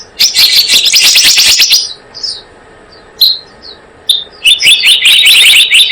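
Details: Blue-eared kingfisher lure sound: a dense burst of high piercing notes, a gap with a few isolated sharp chips, then another rapid shrill run.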